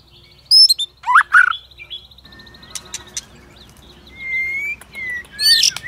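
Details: Provoking song of a White-rumped shama aimed at stirring other shamas to sing in contest: a couple of loud slurred bursts, then softer scattered clicks and thin drawn-out whistles with a low background rumble.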